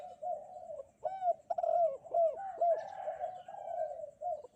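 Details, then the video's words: Spotted dove on a bright morning, a gacor bird used for luring: repeated soft mellow coos in a steady run of short arched notes, about two per second, with faint chirps from other birds behind. "burung derkuku kuk 2 gacor"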